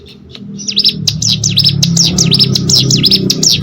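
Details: Training recording for competition birds: a hill prinia starts after a brief pause into fast, sharply swept down-up whistles repeated in a tight chain, over a steady low rumbling background.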